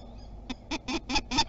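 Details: Common kestrel at Théding, France, defending its territory on 27 April 2021, a spring nesting season: five loud, rasping kee notes in quick, even succession after a quiet start.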